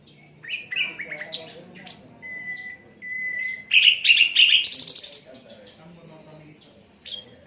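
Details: Unedited Asian brown flycatcher song for tutoring other songbirds: quick chirping notes, a pair of level whistles, then a fast trilled burst of harsh repeated notes that rises higher before fading.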